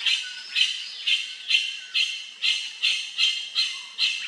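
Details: Grey-winged trumpeter calling in a steady run of about nine loud, raspy squawks, one every half second. Each note starts sharply and fades quickly. The calls stand alone against a quiet background.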